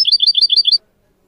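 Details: Goldfinch tutor song for training goldfinch mules and canaries: a single quick, high trill of about six repeated notes lasting under a second, then silence.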